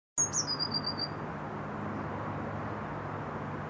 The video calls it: Blue Tit singing